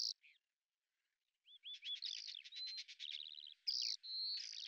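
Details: Lesser grey shrike, a predator known for hovering while hunting: after a few faint notes and a pause, a run of short rising whistled notes leads into rapid clicking chatter, trills and a drawn-out whistle.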